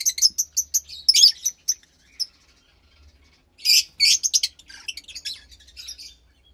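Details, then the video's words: Captive Fischer's lovebird chick roughly 15 days old from lutino and pastel blue parents; a string of thin high chirps, then louder raspy squeaky bursts and scratchy chatter, over a faint low hum. "Lovebird Chick From Lutino & Pastel Blue Fischer"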